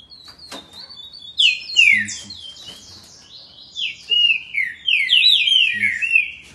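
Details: Green-winged saltator at Campinho, Jacarepaguá, Rio de Janeiro, sings loud, rich whistled phrases whose notes slide downward from high to mid pitch in quick bursts lasting several seconds.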